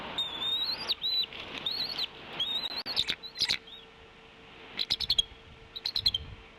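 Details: Adult male bald eagle at the Decorah nest camera on 11 April 2016, calling as he lands on the nest with prey beside the eaglets. High, thin whistled notes come in drawn-out piping calls, then quick stuttering chirp bursts near the end, over a faint steady hum.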